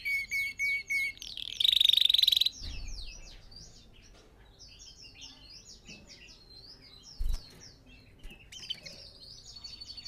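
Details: Red factor canary song meant for training birds: clear whistled phrases and a brief buzzy trill, followed by softer scattered chirps and twitters with a couple of sharp clicks.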